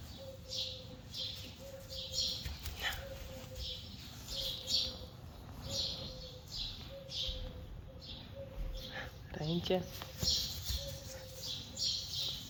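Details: Common wood pigeon giving soft, even hooting notes (woohoo hoo) about twice a second, heard near a Friesian horse stall where a foal was just born, with people talking in Dutch and a faint high hiss behind.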